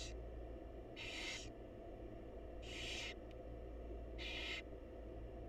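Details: Feeding time for wild barn owl chicks in a nest box: four harsh hissing screeches at steady intervals of about one and a half seconds, with a click and a low continuous hum.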